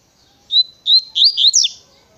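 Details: Coleiro song in tui tui style: starts with a thin level whistle, then speeds into loud, sweet, rising and falling whistled notes, all very high-pitched, with a quiet background.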